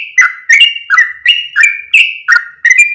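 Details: Yellow-vented bulbul call played as a lure for other bulbuls. Lively, gurgling two-part notes, a short burst then a held whistle, repeated roughly twice a second. No other sounds.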